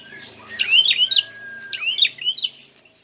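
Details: Prinia fighting call, used as a lure: two quick phrases of sharp, high, rising and falling chirps over a faint, steady, lower tone.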